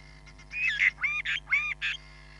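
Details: Hamerkop at Nkorho Bush Lodge, recorded by a live camera on 31 July 2021: four loud, nasal, harmonic yelping calls in quick succession, each slightly bending in pitch, over a steady low electrical hum.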